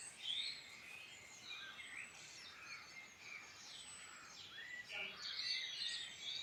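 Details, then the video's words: A chorus of birds in the Irish Midlands, with jumbled twittering phrases, quick chirps and a clear down-slurred whistle near the end over soft background noise. "Beautiful birdsong in Ireland Midland"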